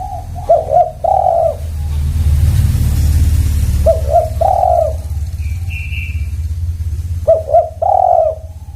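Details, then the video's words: Close spotted dove repeating its coo phrase three times, double short notes then a longer rolling coo. A heavy low engine-like rumble fills the background, and another bird gives a brief high whistle. "Semua Tekukur Bunyi"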